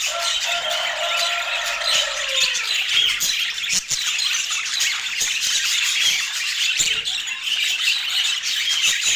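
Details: Budgerigars chattering as they feed, with a sliding tone that falls away in the first seconds, then a steady flow of quick, scratchy, high chirps layered over one another. No music or voices.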